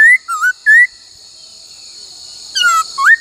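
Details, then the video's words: Whistled laughingthrush song during training in the "bắt cô trói cột" style: three quick slurred notes, a pause, then two more rising whistles, against a persistent high droning background. "Luyện khướu hót bắt cô trói cột , luyện hót nhiều giọng cực hay"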